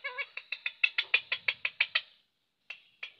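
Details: Talking parrot kept as a pet gives a fast run of about ten short, nasal, harmonic notes, roughly three a second, then pauses and adds two more clipped notes.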